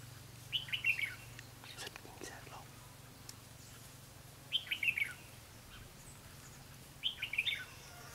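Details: Red-whiskered bulbul used as a lure bird during trapping, recorded 4 November 2016: three short bright warbled phrases of four or five slurred notes, falling then rising, spaced about three seconds apart over a low steady hum.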